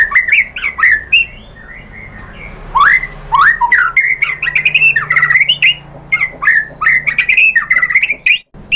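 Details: White-rumped shama lure for provoking a bird to sing: harsh, squawky notes mixed with quick whistled slurs and clicks in an uneven, chattering sequence, ending in a short silence.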